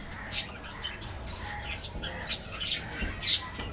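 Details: Scattered sharp high budgerigar chirps, about five distinct notes, over soft background chatter of an aviary colony.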